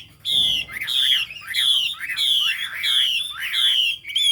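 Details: Chinese hwamei in full song, repeating the same bright, downslurred whistled phrase with a lower looping note about every 0.6 seconds, strong and regular.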